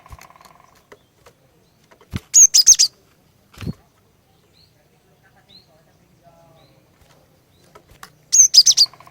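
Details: Female cinereous tit singing to lure males into song: two bright, high chirped phrases of about four quick notes, spaced six seconds apart, with faint low tapping and a soft buzzing hum between them.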